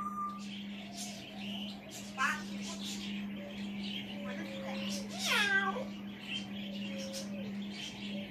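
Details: Pet African grey parrot perched on a chair indoors, talking to himself with no person speaking: mimicked speech-like syllables, a drawn-out meow-like wavering call, and short whistles over a steady low hum.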